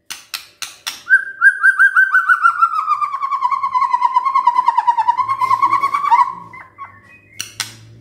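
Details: White-rumped shama song used in the morning to goad quiet shamas into singing: a few sharp clicks, then a long, fast, steady run of repeated whistled notes that slowly drops in pitch, ending in sharp notes.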